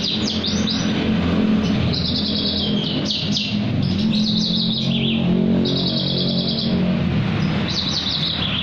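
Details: Javan bush lark singing at night. Bursts of high chattering trills and downward-slurred whistles come in phrases with short pauses, over a constant low background hum.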